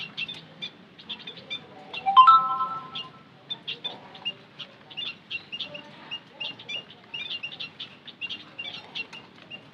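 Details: White-headed munia lure sound: busy high, thin chirps throughout, broken by one louder, lower sliding whistle near two seconds, then steady pulses of tiny peeps.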